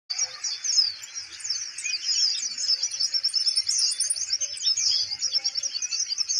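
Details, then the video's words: Caged Van Hasselt's sunbird (kolibri ninja) of steady temperament keeps singing while its cage is held: a fast, high, unbroken twittering of thin sharp notes that runs without pause for over six seconds. "konin mental bagus,kandang dipegang tetap bunyi"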